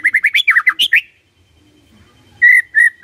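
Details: White-rumped shama lure song for coaxing a reply: a quick tumbling string of rich whistled notes, a short pause, then three loud steady whistles.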